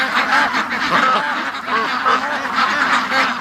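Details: Flock of domestic ducks quacking continuously on a foggy, rainy July 31 morning, many overlapping nasal quacks in a dense, steady chorus with no pauses; excited after an hour and forty minutes of non-stop quacking, let out late.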